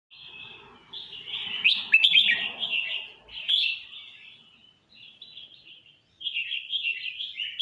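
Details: Red-whiskered bulbul singing at full stretch: rich warbled phrases, high and bubbly, in bursts broken by short pauses, with a quieter pause near five seconds before a fresh burst.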